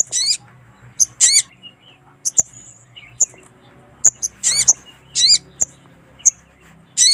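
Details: Lure recording of a female sunbird summoning a male: high, thin squeaky notes and brief trilled bursts, irregularly spaced with short gaps, against a quiet low background hum.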